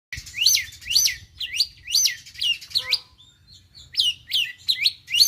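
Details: Young Oriental magpie-robin just past its speckled juvenile stage, learning the rapid 'konslet' song style: loud, high, sweeping whistled phrases with sharp up-and-down slurs, delivered in bursts with a short gap near the middle.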